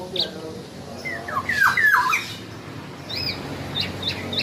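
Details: Black-naped oriole with scattered whistled notes, several sharp downward slurs in a cluster, then a few higher thin chirps, over a low murmur of background noise.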